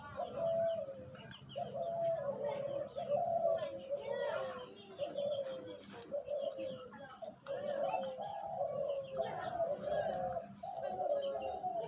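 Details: Captive hunting decoy dove calling in a long run of short, low cooing phrases, repeated steadily over about twelve seconds, with noisy surroundings and occasional clicks and rustles.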